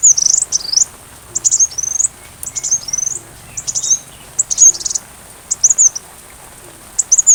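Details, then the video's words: Sunbird song, recorded as a teaching track for a white-rumped shama: quick clusters of very high, thin chips and curling whistles, each phrase under a second, separated by short pauses. "Masteran Rajanya Isian Kolibri"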